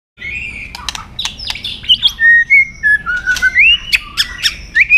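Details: White-rumped shama giving a fighting song with tail-flicking, used to train other shamas: clear whistled notes near the same pitch, some slurred upward, broken by sharp dry clicks, with short loud phrases following each other quickly.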